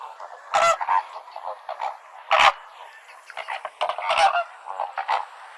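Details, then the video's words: Flamingos calling together in nasal, goose-like honks, with three loud bursts standing out over a steady chatter of the group. "FLAMINGO SOUND"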